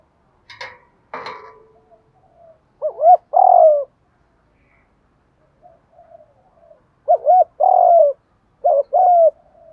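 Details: Decoy spotted dove for trapping, 'giọng thổ pha' voice: knocks and rustles open, then three spaced coo phrases, each a short curved note leading into a longer mellow hoot, with soft murmurs between.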